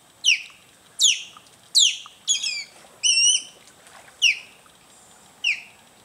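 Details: Osprey calls dated 11-10-17: a series of seven sharp, high, downslurred whistled chirps spaced about a second apart, some doubled or with a brief hold, over faint background hiss.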